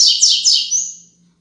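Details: Braddock-type Tui Tui Zel Zel Top song from a Double-collared seedeater, played as a teaching model for young birds: three loud descending whistled slurs in quick succession, ending in a thin fading high tone, with a low hum behind.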